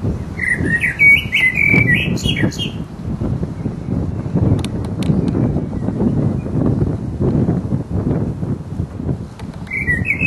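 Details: Mating song of a resident blackbird: a fluted warbling phrase with thin high twitters over the first few seconds, another phrase beginning at the end, under constant low rumbling background noise.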